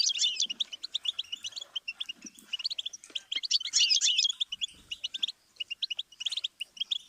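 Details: Song of a goldfinch, played to help songbirds learn: a long run of quick, bright chirps and twittering, swelling into a busier jumbled trill midway before returning to spaced, crisp notes.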